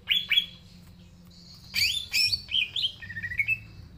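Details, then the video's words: Green leafbird in full song (gacor), natural sound used as a lure for young birds: two sharp upslurred notes, then a pause and a tangle of high sweeping whistles and short trilled notes. "Cucak Ijo Gacor Suara Asli Cocok Buat Pancingan Cucak Ijo Yang Belom Mopeng & Trotol"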